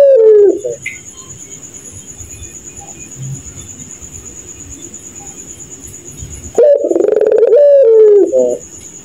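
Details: Puter pelung dove at night: a short coo fragment opens, then a long quiet stretch before one loud, rich, wavering laughing coo with a stuttered finish.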